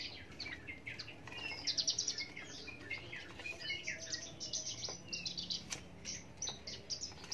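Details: Song of an Australasian bushlark: busy high twittering mixed with thin whistles and short trills, a little quieter and more mixed, over steady low background hiss.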